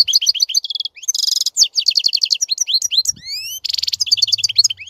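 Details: European goldfinch in continuous, energetic song: rapid repeated twittering notes, dense buzzy trills and rising whistled slides, running almost without pause.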